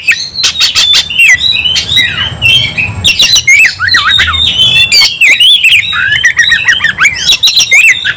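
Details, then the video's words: Oriental magpie-robin fighting hard and full of emotion, pouring out a dense, continuous tangle of squawky notes, zigzag whistles and sharp clicks without pause for several seconds. "kacer langsung KONSLET tarung ngotot full emotional"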